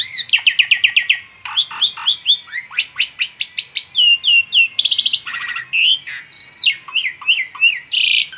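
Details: Energetic song of an Asian pied starling: quick series of clear whistles, squeaky rising notes and rasping bursts, varied phrases tumbling one after another over a near-silent background.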